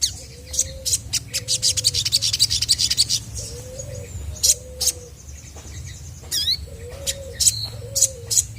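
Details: Chestnut-backed scimitar babbler in full song, used to make other birds answer: low, hollow, level hoots in spaced pairs, each about half a second long, under a dense, loud chatter of high chirps and ticks from other birds.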